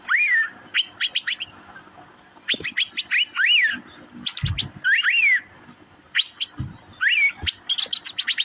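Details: Asian fairy-bluebird (cucak biru) giving sharp, high chirps in quick bursts, mixed with slurred whistles that rise and fall, repeated every second or two, with brief gaps of quiet between phrases.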